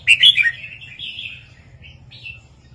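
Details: Red-whiskered bulbul giving a southern-style 3-4-5 master song for caged birds. It opens with a loud, sharp chattering burst, then slurred warbling whistles fade into two short, softer phrases.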